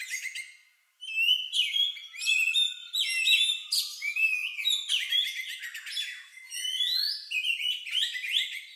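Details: Oriental magpie-robin singing its unusual, lovebird-like song, used to encourage other birds to sing: after a second of silence, dense chattering trills, chirps and rising whistles pour out almost without a break.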